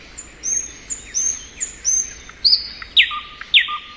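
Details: Spring thrush nightingale: a series of high, falling whistles repeated every half second, then sharp, loud downstrokes paired with short, low whistles.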